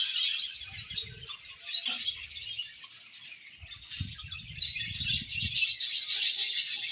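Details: Non-stop budgerigar chirping, with a constant stream of high, fast, twittering notes. Soft low thumps sound underneath, and the chatter swells louder and denser in the last seconds.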